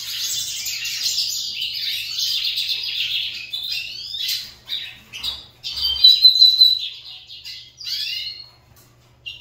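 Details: Lined seedeaters competing in song: a loud stretch of rapid high warbling at first, then separate bursts of sharp trills and clear whistled notes with short gaps between them.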